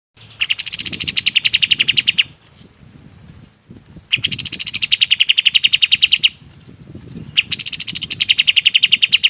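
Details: Golden-bellied gerygone singing, its song used for training other birds: bursts of about two seconds of fast, rapidly repeated high chips, three bursts with short pauses between, faint low rustling beneath.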